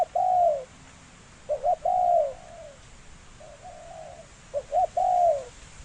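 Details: Spotted dove in the "thổ sấm" cooing style, repeating a mellow, hollow phrase of quick short notes leading into a drawn-out, falling coo, several times over steady background hiss.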